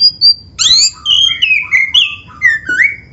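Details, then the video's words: Captive black-breasted oriental magpie-robin song meant to trigger other birds to sing: two thin high whistles, then a run of loud downslurred and upslurred whistled notes with clicks between. "SUARA KACER GACOR FULL ISIAN ‼️ Bikin Kacer Lain ON GACOR"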